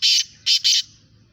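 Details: Calling match of black francolins. One long grating note is followed by a pair of shorter harsh, rasping notes, all loud and broad, with a faint low hum.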